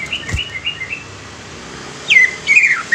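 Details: Young greater green leafbird singing to prompt untrained leafbirds: soft high whistled notes at first, a quiet gap, then a sharp falling whistle and warbled phrase near the end.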